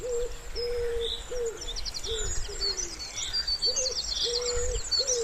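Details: Pondside wood pigeon in spring, calling with a regular sequence of low, level coos that sometimes drop at the end, under a layer of faint high chirps and trills.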